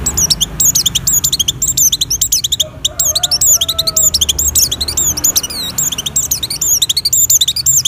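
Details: Oriental white-eye in breeding condition, voice used as a lure for other white-eyes: long unbroken flow of rapid, shrill chirps and twitters, with a brief faint whistle in the middle.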